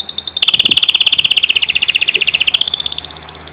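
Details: Canary from Proastio, Karditsa, Greece, recorded in 2012, singing a fast, even trill of about forty bright piping notes over two seconds that drifts slightly lower, then rises into a brief higher tone; faint low hum behind.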